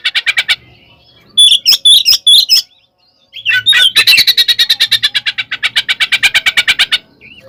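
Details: Oriental magpie-robin in loud fighting song used to provoke other birds into agitation: harsh buzzy bursts, a few piercing whistles, a short silence, then a long fast series of rattling chatter notes repeated about twice a second and faster.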